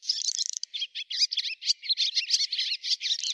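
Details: Swallow of Russia giving a lively, unbroken chatter of quick, high twittering notes in dense clusters that rise and fall in loudness.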